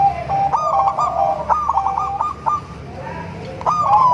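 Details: Zebra dove, local, crossbred and Bangkok stock, singing sweetly to attract other zebra doves: quick bubbling trill phrases of soft mid-pitched coos, a short lull, then another trill begins.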